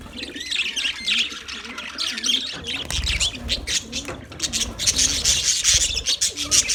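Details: Constant chirping from a budgerigar colony: overlapping warbling twitters build in density and loudness toward the end.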